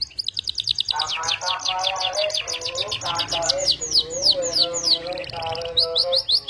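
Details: Singing canary in gacor form with melodious cengkok. Fast series of downslurred whistles are repeated about three per second, interwoven with lower rolling warbles and brief pauses, over a long varied phrase.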